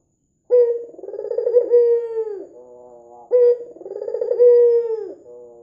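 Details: White dove with red eyes, a lure recording for prompting doves to call, calling lively: two repeated cooing phrases, each opening with a clear note and rolling into a long, trilled, slightly falling coo, then a soft, low tail.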